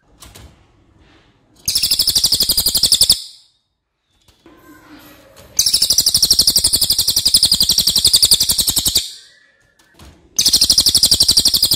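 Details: Racket-tailed Treepie (cililin) recorded for training other songbirds, famous for a long, loud voice: three bursts of piercing, buzzy rapid-fire trills, the middle one over three seconds, with quieter pauses holding soft background sounds.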